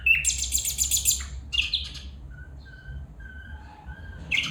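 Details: Calling female bulbul: a rapid, buzzy, high chattering burst, then sharp downslurred chips, followed by a series of soft, low, evenly spaced whistled notes, and a sudden bright note to close.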